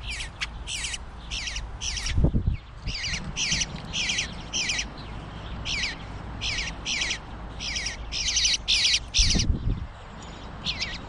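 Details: Bluebird fledgling demanding food while surrounded by it: a rapid run of about twenty harsh, raspy squawks, each short and bright, repeated almost without pause, with two low thumps partway through.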